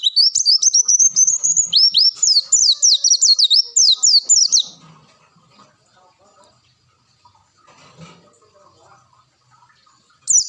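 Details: Long-tailed shrike bongkar isian song for masteran: about five seconds of rapid high whistled notes, some drawn into a rising slur, then a quiet stretch with faint background noise before the song resumes briefly.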